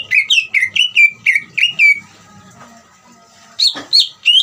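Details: Trilling song of a Greater green leafbird, used to stir other birds into singing: a quick series of seven descending whistled notes, a pause with rustling, then higher sweeping whistles, over a steady hum.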